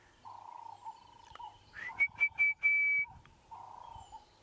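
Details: Orange-breasted bushshrike calling early at sunrise on 8 December 2016, though it normally calls in the heat of the day: three short, quick whistled notes, then one long, steady, high whistle, with a low hum and faint birds behind.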